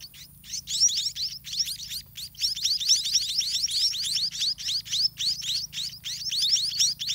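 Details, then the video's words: Garden nest of white-rumped munias, parents feeding chicks: insistent high rising squeaks from several nestlings, almost four a second, forming a dense chattering chorus with brief breaks. "Parent Birds in Garden Feeding Their Chicks"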